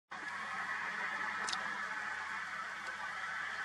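A flock of common cranes calling together, a dense steady wash of overlapping trumpeting, rolling calls with no single voice standing out.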